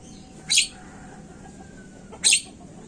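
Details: Jalak kebo, the Javan myna, calling on a lure track for triggering song: a pair of coarse, scratchy bursts under two seconds apart, with a soft drawn whistle in between and a constant low drone.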